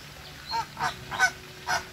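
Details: Flamingo giving four short, harsh, nasal honks in quick succession over two seconds, each a loud broad burst, with a faint low hum behind.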